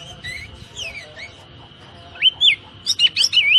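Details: Oriental magpie-robin (kacer) training song for caged birds, 'tembakan rapat' style: after a quiet start with faint notes, loud, quick, slurred whistles, rising and falling, come in two bursts near the end over a steady high tone.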